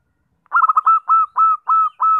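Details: Zebra dove call used to lure birds: a rapid stutter of short cooing notes, then four longer, evenly spaced mellow coos, clean with no background.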